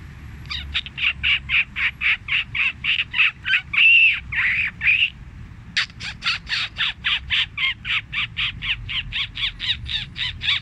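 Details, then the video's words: A fantail gives a long run of quick, squeaky, high notes, about three per second, with one brief pause midway, over a faint low rumble; phone recording with noise removed, meant as a trapping lure. "Tiếng Chim Rẻ Quạt Hót"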